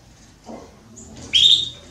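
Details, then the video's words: Belgian canary hen soliciting mating: one bright, high chirp that rises then levels off, after a soft low rustle. "Canário Belga Fêmea Pedindo Gala"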